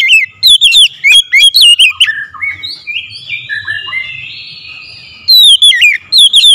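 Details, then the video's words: Oriental magpie-robin in loud voice: rapid looping whistles at the start, then a run of softer drawn-out slurred whistles, then another burst of quick sharp notes at the end. "KACER MEMANGGIL SUARA LANTANG KERAS"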